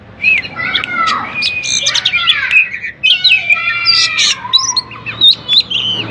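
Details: White-rumped shama song aimed at provoking other shamas: rich, overlapping whistles and harsh chirping bursts, with descending slurred notes and short bright whistles repeated toward the end.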